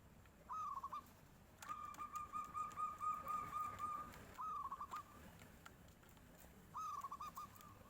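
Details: A local zebra dove answers a passing tofu seller in the fluting 'nyuling' style: short stuttered cooing phrases, one long rolling trill of rapid soft notes, then further brief phrases over quiet background hiss.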